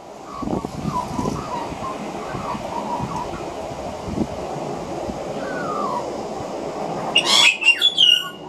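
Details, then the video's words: Two juvenile pied butcherbirds practise their songs, soft rambling warbles and a slow rising note, then brighter, higher fluty phrases, with a juvenile magpie practising carolling behind, over a steady rumble; dated 090216. "Juvenile Pied Butcherbirds Singing"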